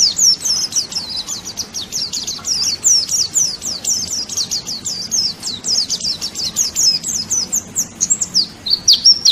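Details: Pleci, a white-eye, singing for masteran tutoring of songbirds: a long, fast, unbroken chatter of very high, sharply falling chips and twitters, pouring out without pause.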